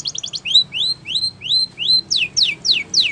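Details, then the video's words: Spanish Timbrado canary training song: a quick stuttered trill, then four clear rising whistles about half a second apart, followed by four steep downward sweeps. "The Best Spanish Timbrado Song For Training Your canary !! Make Your Canary Singing Again"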